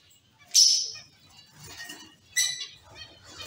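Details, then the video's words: Caged zebra finch colony: two short nasal, buzzy calls with harmonic stacks, about two seconds apart, with faint chatter from other finches between them. "Zebra finch sound & activities"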